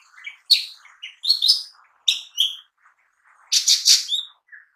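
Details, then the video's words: A lesser green leafbird sings a lively, varied string of high whistles, sharp chips and buzzy chatter in quick bursts, with short pauses between phrases. "Cucak Ijo Mini Bunyi Gacor"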